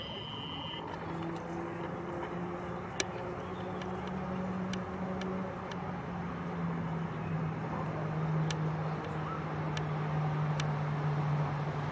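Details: A steady low engine drone, like a passing boat or vehicle, runs throughout over background noise and a few sharp clicks, with no animal voices.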